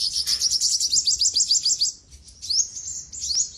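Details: Olive-backed sunbird (sogok ontong) masteran song: a quick series of high, sharp chipping notes, then a brief gap and two bright rising whistled slurs.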